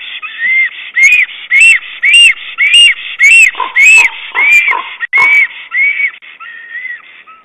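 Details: Black stork arranging twigs and moss in its nest on 22 April 2009, calling to its mate: loud, arched whistled notes repeated about twice a second, several with sharp clicky overtones, the series fading and lowering toward the end.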